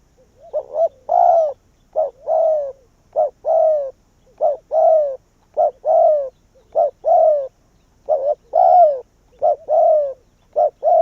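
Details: Spotted dove used as a decoy to lure wild doves, cooing rapidly and continuously: short paired notes alternating with longer falling coos, roughly fifty notes a minute, loud and dense throughout.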